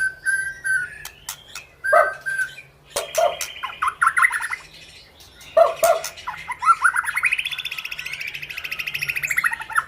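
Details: White-rumped shama of the 'panda' type in active song: short whistled phrases and clicks, then a long buzzy rising-and-falling trill of rapidly repeated notes lasting several seconds.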